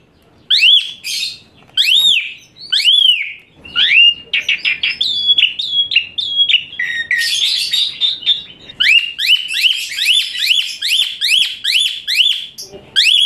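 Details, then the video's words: Asian pied starling in rough, shrill training-song style: several ringing arched whistles, then a stretch of rapid clipped chips and warbles, followed by a fast, even run of bright rising-falling notes. "Masteran Sadis TEMBAKAN KASAR Suara Melengking Tinggi Kicau Jalak Suren Gacor"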